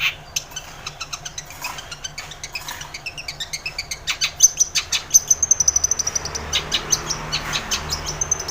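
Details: Vigorous long-tailed shrike song for triggering a reluctant shrike: scattered ticks build into a fast, even trill of sharp notes, later slowing into spaced chips with a sustained thin high whistle running above.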